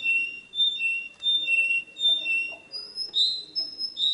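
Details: Singing canary giving mellow two-pitch whistled pulses that shift into higher, slurred, rising whistles near the end.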